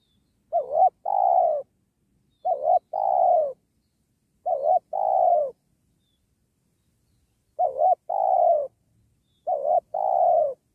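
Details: Repeated coo phrases from a spotted dove used to attract wild doves while trapping by a sacred tree; five phrases, each a brief wobbling double note and a longer falling coo, about two seconds apart with one longer gap.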